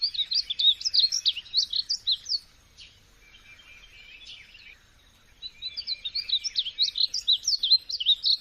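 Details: Two phrases of rapid, high chirping bird song, each a tight series of bouncy notes, separated by a quiet gap with one faint call.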